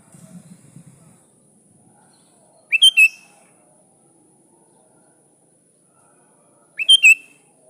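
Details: Sooty-headed bulbul (kutilang), in full voice, calling to a rival as a lure call: two brisk chirped phrases roughly four seconds apart, each a fast upward-flicking note pair, with a faint low rumble at the start.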